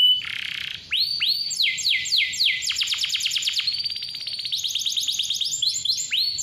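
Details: Canary singing brightly as a lure for young or quiet canaries: a short buzzy note, several rising upslurred whistles, then long runs of fast repeated falling sweeps and rolling trills.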